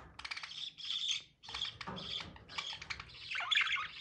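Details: Budgie mating chatter: a dense run of rapid clicking notes and scratchy whistled chirps, nearly continuous, with one brief break.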